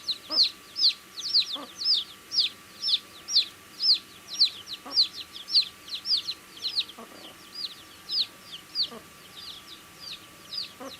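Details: Baby chicks feeding give a fast string of high falling peeps, loud and regular at first, then fainter and more scattered, with sparse low taps against food.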